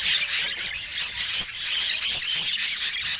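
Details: Budgerigars chattering nonstop in a busy, raspy, high-pitched warble, with squeaky notes and short bright whistles layered together.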